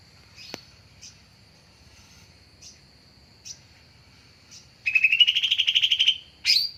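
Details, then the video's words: Lure call of a greater green leafbird, used for bird trapping: scattered soft chips, then one loud rapid trill rising gradually for over a second, followed by a sharp high note. "Suara Pancingan/dan suara PIkatan Cucak Ijo"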